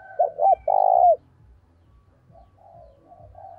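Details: Decoy spotted dove in training, calling vigorously with urging notes to lure wild doves: one low cooing phrase of two or three quick coos and a long, loud, steady coo, followed by quiet background bird chatter.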